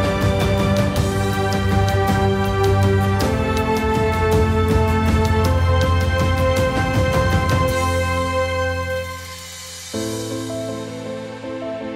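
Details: Orchestral theme music with steady harmonic tones and a regular beat, with no animal sound.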